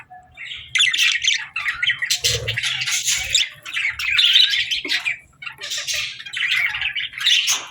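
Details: Budgies chattering at feeding time: bursts of buzzy, twittering warble from several birds, broken by short gaps, with sharper squeaks standing out around the middle.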